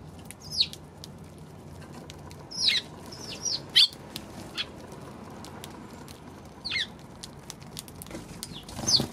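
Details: Eurasian tree sparrow, 16 March: loud, sharp chirps come in scattered clusters, a few close together then long pauses, with faint clicks and a steady low background hum.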